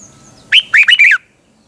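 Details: Morning training song of a caged red-whiskered bulbul: one short phrase starting with a sharp note, then a quick string of rolling, bubbly whistles rising and falling.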